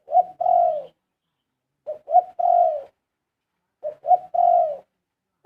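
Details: Spotted dove singing pleasing 'karom' phrases: three evenly spaced phrases, roughly every two seconds, each opening with two or three quick mellow coos and ending in a sustained, gently descending coo, set against near silence.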